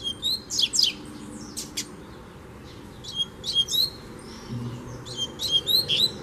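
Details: Free double-collared seedeater challenging a caged bird, singing repeated bursts of sharp, high whistled notes and quick chirps in phrases with short pauses between them.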